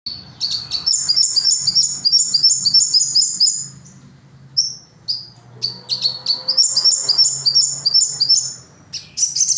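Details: Crimson sunbird singing: rapid, very high, thin chirps in tight stuttering runs, broken by short pauses and single sharp notes, over a low steady hum.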